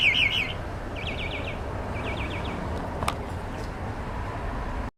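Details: Songbird heard outside a studio, giving three short phrases of quick, rolling trilled notes, the first loudest and the later two softer, against a steady background hum.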